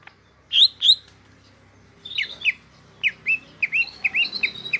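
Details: Greater green leafbird (cucak ijo) with two sharp chips, a short pause, then a quickening series of downslurred whistled notes.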